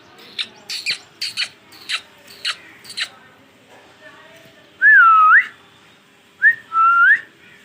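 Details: Pet green ringneck parrot talking: quick choppy speech-like syllables open the recording, followed by two loud, longer whistles that dip and then rise sharply at the end.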